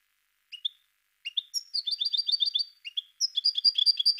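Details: Parva European goldfinch singing: a few separate high chips, then quick repeated twittered phrases in bouncy rhythm, continuing in bright liquid series.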